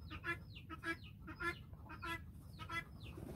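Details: Flock of farm-raised guineafowl following a hen, giving harsh, harmonic rattling calls about every half second, some ending in short downward-sliding notes, over a low rumbling background.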